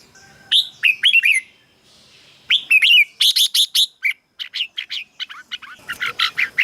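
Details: Red-whiskered bulbul song for stimulating caged birds or decoy use: two bubbly whistled phrases, then a fast string of sharp chirpy notes running to the end.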